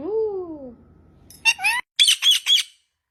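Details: Parrot vocalizing: a smooth falling tone opens, followed after a pause by harsh, raspy squawks with a rising note, then three quick scratchy bursts in a row, recorded indoors.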